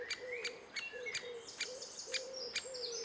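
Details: Adult great spotted woodpeckers feeding chicks, June 2011: crisp clicking notes at irregular intervals, accompanied by a steady series of soft, low hooting notes and some high twittering from other birds.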